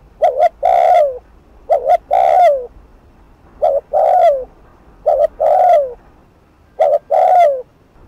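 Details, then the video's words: Spotted dove giving fast cooing used as a lure to provoke wild doves: five hoarse phrases, two quick low notes then a longer falling croon, about every one and a half seconds. "Cu gáy Thúc Gù TỐC ĐỘ kích bổi/kích mồi nổi điên gáy ngay"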